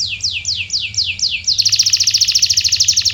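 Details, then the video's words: Canary lure song for stimulating silent birds: five slow descending whistled sweeps followed by a very rapid, loud rattling trill. "Is Your Canary Silent⁉️🤫 Try This MAGICAL LURE for 5 Minutes!"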